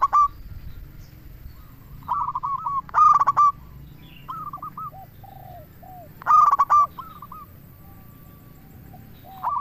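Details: Zebra dove, a local bird, singing as a lure for other doves: loud rolling coo bursts about every three seconds, with gentler coo series from neighbouring doves between them.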